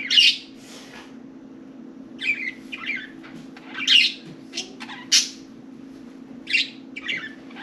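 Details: Four budgies at play in and atop their cage, chattering: harsh, buzzy squawks and chirps repeated at irregular intervals, some louder and sharper than others, with a low hum beneath.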